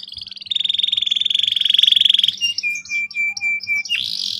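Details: Canary lure song for young birds learning to roll: a long steady buzzing trill of rapid pulses, then flat whistled notes repeated and a rough rattle at the end.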